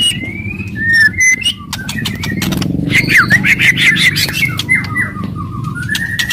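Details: White-rumped shama in aggressive song to stimulate others: clicking notes and whistles, then a dense chattering run of rapid slurred notes and descending phrases over a louder low rumble.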